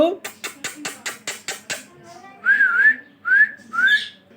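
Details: Parrot talking, opening with a quick run of about eight harsh, clicky pulses, then a pause and three clear whistled phrases that rise and wobble, each under a second long.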